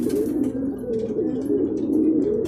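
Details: Several racing pigeons in Guiguinto, Bulacan coo at the loft after a second truck training release brought them home together. Low, overlapping, wavering coos run continuously, with light clicks and rustles.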